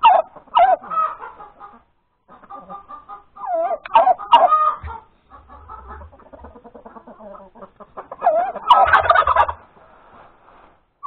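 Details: Egg-laying cackle from a hen at breakfast time, Sunday, January 31, 2021: loud bursts of harsh, wavering squawks separated by trains of rapid soft clucks, about two a second. A brief low rumble sounds midway.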